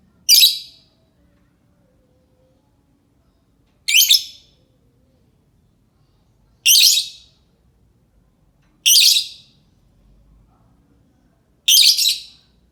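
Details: A lovebird calls, used as a lure to make other lovebirds answer; five harsh, piercing screeches spaced about two to three seconds apart, each short and noisy, with silence between.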